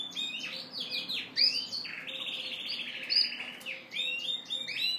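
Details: Courting Yorkshire canary male singing to the hen. Rich song of fast rolling trills and rising notes, including a long buzzy trill in the middle, with a faint background hum.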